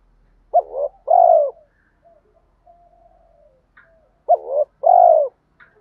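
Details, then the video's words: Spotted dove giving a 'kích bổi' cooing call meant to stir other doves: a short two-part coo, then a long, even coo, heard twice about four seconds apart, with faint soft coos between. "Tiếng chim cu gáy Thúc gù gáy kích bổi"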